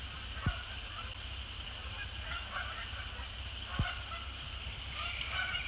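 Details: Canada geese flying over Sapsucker Woods Pond after sunset in December, coming in to splash down; honking is moderate and uneven, with a brighter cluster of calls in the last second and two sharp thumps.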